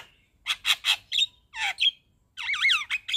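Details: Javan myna in lively song full of 'isian' fill-in phrases, used to get silent mynas to respond; rasping squawks followed by a brief whistle, then a run of wavering, warbled whistles rising and falling.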